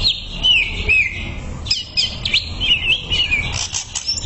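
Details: Greater green leafbird song used as a training and therapy recording for birds: fast, varied whistled phrases with rising and falling slurs, sweeping notes and sharp chirps, nearly continuous, over a low background rumble.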